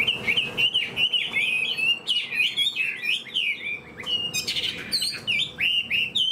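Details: A fan-tailed Chinese hwamei kept as a cage bird pours out clear, bubbling whistled notes, looping up and down in short repeated phrases with brief pauses between them.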